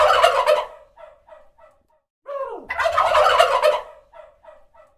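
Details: Turkey gobbling: two loud, rapid rattling gobbles with bright, harmonic-rich bursts, each followed by a few short, softer trailing notes; a descending whine leads into the second burst.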